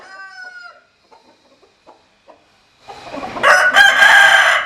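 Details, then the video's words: Faint tonal call at the start, then several soft scattered sounds, then a loud, harsh rooster crow building up over the last second and a half. "Tập Hợp Những Tiếng Gà Gáy Rất Hay"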